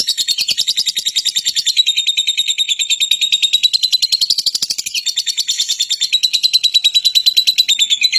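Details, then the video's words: Lovebird giving shrill, high chirps in a rapid, steady series of about three per second, with a continuous piercing tone running through the whole stretch. "SUARA BURUNG LOVEBIRD"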